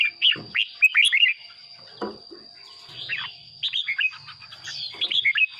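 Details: Song of a caged red-whiskered bulbul kept as a decoy bird to rouse others: three bursts of lively, warbled whistles dipping and rising, with a steady thin high tone throughout and faint low hum.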